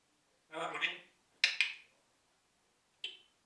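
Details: A talking pet parrot speaks a short phrase, apparently "Es regnet" ("it's raining"), in a voice like a person's. Two sharp clicks and a brief high chirp follow.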